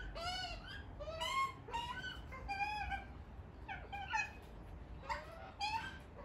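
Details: Australian White-backed Magpie family at a back door, demanding food from the household: repeated nasal, harmonic squawks in short rising-and-falling bursts, several calls every second, with low room rumble underneath.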